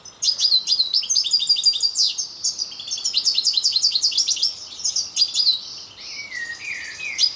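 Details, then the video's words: European goldfinch of the parva form singing: a fast, tinkling run of high twittering notes and buzzy trills, with a few lower downward-slurred notes near the end. "parva putter zang. chant chardonneret parva"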